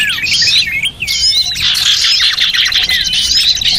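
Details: Lure recording of small birds used to attract small birds: dense, overlapping high chirps and twittering with quick rising and falling whistled notes, continuous throughout, several birds calling at once.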